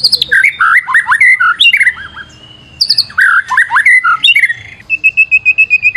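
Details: Vigorous white-rumped shama lure song: two long, varied phrases of high chips, sliding whistles and warbles, then a rhythmic run of about ten identical clear whistled notes.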